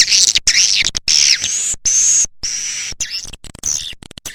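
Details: Edible-nest swiftlet calling sound of the A Leyung type, used to attract swiftlets: loud, buzzy high chirps and drawn-out rasping notes in quick succession, broken by short silent gaps.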